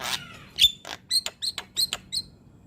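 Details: Young Javan myna singing with head nods, a training track for other mynas: a harsh rasp and a pure whistled note, followed by a fast run of about six short, high chirps roughly a quarter-second apart.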